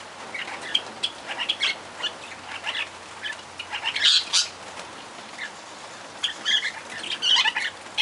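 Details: Barred parakeets chattering in quick, high chirps that come in clusters, loudest around the middle and near the end, with soft wing flutters and a constant background hiss.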